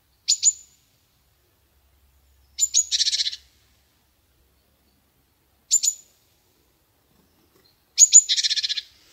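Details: Chickadee repeating its call about every three seconds, alternating a short pair of piercing high notes with full phrases where the high notes lead into a run of buzzy, lower 'dee' notes; background silent.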